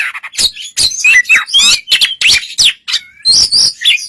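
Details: White-rumped shama song meant to provoke another shama into answering: a rapid, dense stream of varied chirps, slurred whistles and harsh notes with few gaps.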